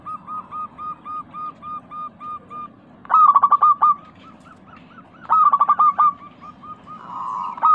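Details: Local zebra dove in lively song, recorded as a lure for pet doves: a steady line of short soft coos, then two loud bursts of rapid stuttering coos, returning to the gentle repeated notes.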